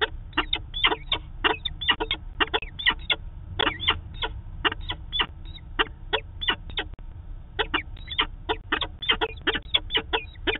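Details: Peregrine falcons, a pair meeting at their Manchester, New Hampshire nest site, 2 September 2018; long runs of rasping clipped notes in rapid bursts, a brief pause near the middle, then the chattering resumes against a quiet low rumble.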